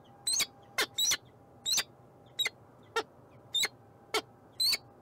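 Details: Peregrine falcon in Montreal, Canada, uttering harsh, scratchy call notes in a loose, uneven series with short gaps. A faint steady hum runs underneath.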